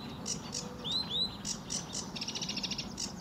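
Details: Sedge warbler song from RSPB Fowlmere, early morning, July 2013, blue sky: scattered high chattering notes, two clear slurred whistles, then a rapid rhythmic trill of high repeated notes.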